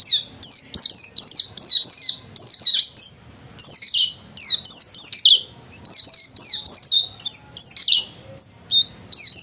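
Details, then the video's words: Vigorous song from a white-eye kept at home, rapid clusters of thin, high, downslurred chirps and twitters in bursts of about a second, separated by brief gaps. "Burung pleci gacor"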